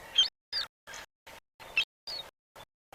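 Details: Several juvenile glaucous-winged gulls, near an adult, give thin, high-pitched whistled begging notes, about eight short wavering cries in three seconds, while waiting to pick up a bear's fish scraps on a river in late September; adults don't make this call.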